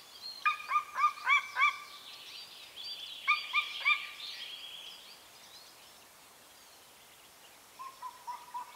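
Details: A golden eagle, probably a pair's contact call at the nest, in remote Carpathian mountains of northern Romania, gives short, clear yelping notes in two quick bursts of four to seven, then a few fainter yelps.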